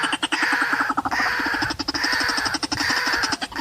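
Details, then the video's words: White-breasted waterhen call at a bird-trapping spot in untouched forest: harsh, croaking notes repeated rapidly in uneven bursts with brief pauses between runs. "Pikat Burung Ruak Ruak"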